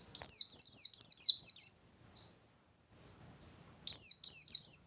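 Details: Bustomi-type white-eye in vigorous song, used as a lure to set other white-eyes singing. Very high, thin descending slurred notes come in a rapid run of about six, then softer fragments and another fast burst. No other sounds.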